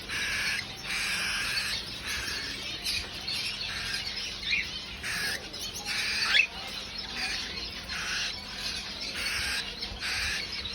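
A cockatiel sings in harsh, scratchy high-pitched bursts, repeated about once a second.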